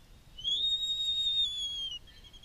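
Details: Feeding of a Black-footed albatross chick at Midway Atoll by an adult carrying a research GPS logger. One loud, pure, high whistle held steady for about one and a half seconds, faint noise behind.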